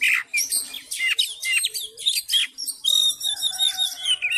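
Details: Fighting Oriental magpie-robin male provoking other males: loud rushed medley of sharp chirps and harsh notes, shifting into sustained high, even whistled tones near the end.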